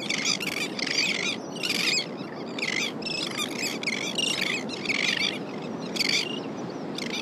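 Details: Elegant terns returning to the California Central Coast in July as adults bring small silver fish to their adolescent offspring; many raspy, scratchy calls overlap in repeated bursts about every half second, over constant rushing background noise.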